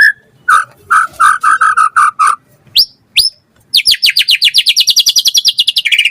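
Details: Energetic white-rumped shama singing to provoke other birds into answering: a row of mellow repeated notes, two sharp upslurred whistles, then a fast rattling trill that gradually falls in pitch.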